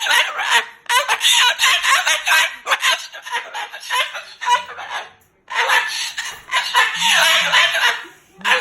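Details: Angry pet Moluccan cockatoo talking and cursing loudly, upset that its owner stayed overnight; harsh, raspy bursts of voice-like squawks in rapid runs, broken by short pauses, with laughter nearby.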